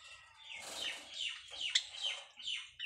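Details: White Java sparrows at their nest during breeding, calling as part of mating: a run of bright, slurred high chirps and squeaky notes rising and falling, with brief rustling.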